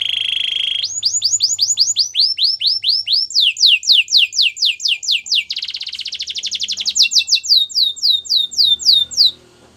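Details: Canary training song: an opening steady trill, then long runs of rising-and-falling slurred whistles repeated rapidly, a buzzy rolled section, and more quick sweeping notes to finish.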